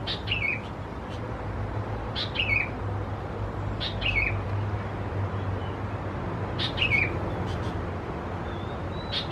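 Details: Sooty-headed Bulbul chicks, Pycnonotus aurigaster thais, recorded in June at a home in Khao Yoi, Phetchaburi province, Thailand; four raspy chirps sliding downward, spaced roughly two seconds apart, with steady low rumble behind.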